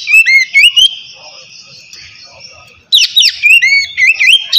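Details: Oriental magpie-robin singing a relaxed ngeplong-style song, used to lure lazy birds into singing: loud whistled notes sliding up and down, a burst of phrases, then a quieter sustained whistle, then another rapid run of bright slurred notes.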